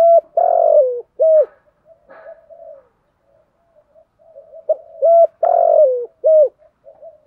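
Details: Decoy spotted dove cooing to entice wild doves to respond; two loud phrases, each a sharp note, a long wavering falling coo and a final short coo, separated by soft low murmurs.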